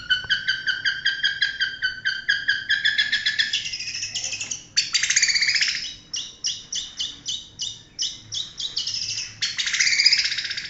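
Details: Long-tailed shrike, a national champion contest bird, mixing quick ticking note series with harsh scratchy bursts and rasping buzzes, a varied, mimic-like stream of sounds.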